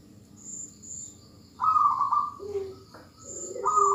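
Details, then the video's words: Zebra dove female calling a male, used to coax males into song; two loud pulsed coo bursts separated by a lower short note, with thin high whistles in the background. "perkutut betina memanggil jantan suara PALING BERHASIL memancing perkutut jantan langsung MANGGUNG"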